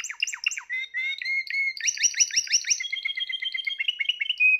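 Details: Song of a Spanish Timbrado canary from the 2020 birds, opening with sharp descending staccato notes before shifting into quick, evenly pulsed trills and a long rolling trill that fades toward the close.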